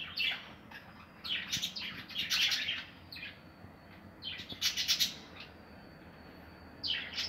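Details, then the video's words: Nesting budgerigars in an aviary give bursts of dense, buzzy high chatter separated by pauses of a second or more, with a faint steady whine and low hum underneath. "Ma voliére de Perruche 2020 طائر البادجي"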